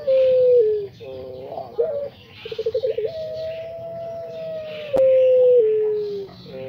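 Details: Singing puter pelung dove from Indonesia gives a falling hoarse coo, a short rising phrase, a quick series of pulsed notes, and then a long steady tone that sinks at the end.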